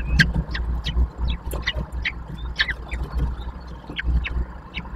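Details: Common kestrel chicks, three young at a nest in Łódź, Poland, on 19 May 2024, being fed; a rapid series of short, sharp high calls repeated several times a second over a steady low hum.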